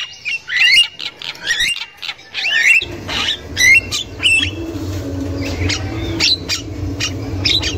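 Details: Female Javan myna chattering in the wild, meant as a lure for young birds: bursts of harsh grating squawks and twisting whistled notes, loud at first, then sparser calls over a low droning hum.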